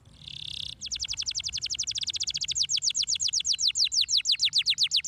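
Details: Canary song for stimulating canaries to sing: a short buzzy burst followed by a long, very rapid trill of sharp descending notes, gradually spacing out and growing louder.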